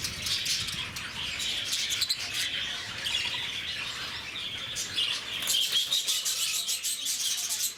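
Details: Lovebirds at Bannerghatta Zoo in Bangalore, a noisy, active flock: a constant wash of shrill, high chirps and squeaky chatter overlapping without pause, with brighter bursts of rapid twittering near the end.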